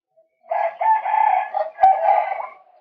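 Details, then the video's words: Male white-breasted waterhen, recorded as a lure, gives a sustained, loud, grating croaking phrase in two long rasping sections, ending with a sharp upslurred note. "เสียงนกกวักตัวผู้ รับประกันความหมาน"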